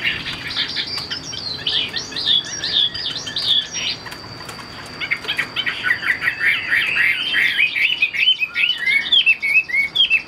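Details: Caged Chinese hwamei singing a continuous run of varied, loud whistled phrases, bright and warbling, with quick rising and falling slurs and short trills, pausing briefly near the middle before resuming with rapid repeated notes.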